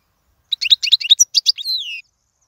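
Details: Brief European goldfinch phrase for teaching young birds: about a dozen quick tinkling chirps followed by a drawn-out, falling nasal note, with silence before and after.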